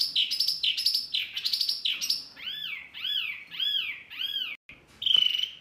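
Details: Noisy Wambi bird call meant to provoke other birds: rapid high whistled notes, then four clear arched whistles rising and falling about once per second, and a final loud note after a brief gap.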